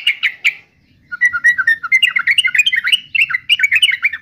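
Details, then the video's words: Yellow-vented bulbul song: three sharp chirps, a short pause, then a fast continuous string of gurgling, bubbly whistled notes rising and falling in pitch. "Suara Burung Trucukan"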